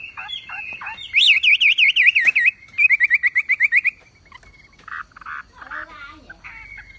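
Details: Wambi, the Javan pied starling, singing loudly in a masteran training recording: a fast warbling trill that wavers up and down in two bursts, followed by softer short buzzy notes and thin whistles.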